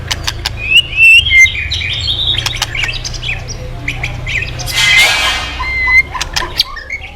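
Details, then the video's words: White-rumped shama singing vigorously, used as a lure to get other birds singing: sharp whistled notes and harsh squawks at irregular intervals over a steady low hum. "Pancingan Burung murai Crpat gacor"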